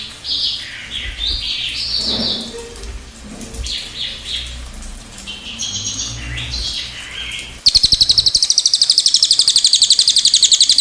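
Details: Cililin singing a long rolling song: varied high warbling phrases for about seven seconds, then a sudden fast, even, very high trill of rapid repeated pulses to the end.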